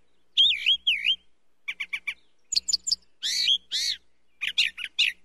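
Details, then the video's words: A brown thrasher sings a varied run of phrases, each given twice: wavy whistles, quick chips, and harsh, rich notes. No other sounds. "Brown Thrasher Song"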